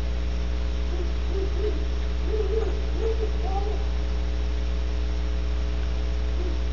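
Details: Great horned owls at Audubon Starr Ranch, California: a short run of low, soft hooting notes clustered in the middle, with one slightly higher note, over a steady electrical hum.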